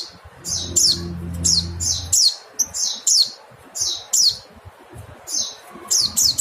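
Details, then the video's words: Mountain white-eye uttering sharp, high, down-slurred calls in loose series, some paired; a low steady hum is heard during the first two seconds beneath the bird. "Nada call pleci montanus/pleci kapur/pleci gunung"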